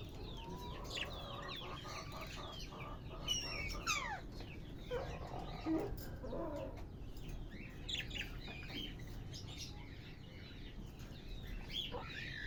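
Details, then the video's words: Australian bajri parrots, or budgerigars, warbling and twittering in overlapping bursts of quick, scratchy, rising and falling chirps, with some lower grating notes midway, over a constant low hum. "Australian Bajri Parrots Birds"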